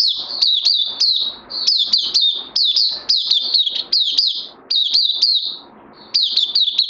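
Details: Oriental white-eye song from 31 May 2020: bursts of thin, bright chirps, each swooping down then up, run in quick series broken by short gaps and a soft drawn-out note before the next burst.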